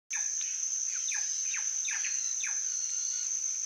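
Plush-crested jay giving a run of quick, sharply falling notes, about two per second, over a steady high insect whine.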